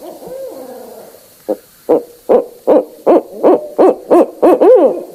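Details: Starting from a low murmur, a barred owl builds into a steady sequence of about nine emphatic hoots that ends in a louder, quavering wail.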